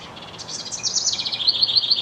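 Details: Male house wren singing to his mate, a fast chattering cascade of high twittering notes descending into a steady series of five or six quick repeated trills, rising in loudness toward the close.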